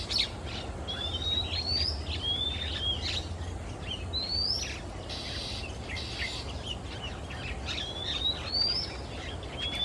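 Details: Male Oriental magpie-robin singing in Singapore on a quiet afternoon, moving between perches; clear whistled phrases with rising slurred notes and buzzy screech-like elements, repeated in varied verses over steady low background rumble.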